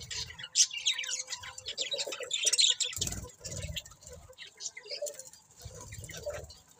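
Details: Pet budgerigars producing busy, scratchy chatter with high chirps and clicking notes, mixed with low thumping and rustling sounds throughout.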